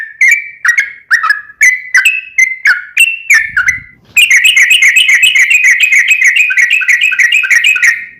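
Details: Gacor sooty-headed bulbul in long ropel style, used to coax a caged bulbul into replying. Choppy whistled notes with slides give way midway to a dense, rapid rattling trill of fast repeated notes that runs to the end.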